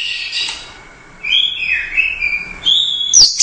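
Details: Competition orange-headed thrush, Royal Cup champion, singing gacor teler doyong: sliding whistled notes that dip and rise, then a sharp high squeaky phrase at the end.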